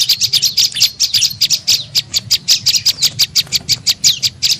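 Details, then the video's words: Lure call of the prenjak lumut tailorbird for attracting birds: quick run of loud, sharp high chirps, roughly three per second, slightly irregular, over a faint low hum. "SUARA PIKAT BURUNG PRENJAK LUMUT"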